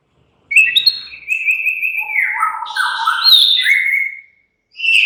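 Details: Murai batu, or white-rumped shama, in relaxed song: a long flowing phrase of steady whistles dropping to lower warbles, then climbing into high buzzy and chattering notes before a pause.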